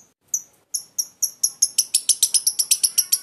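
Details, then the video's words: Lovebird giving its ngekek chattering song, a run of sharp, high chirps that start spaced apart and then speed up into a rapid, even stutter of clipped notes. "Bengini gaya burung lovebird ngekek konslet"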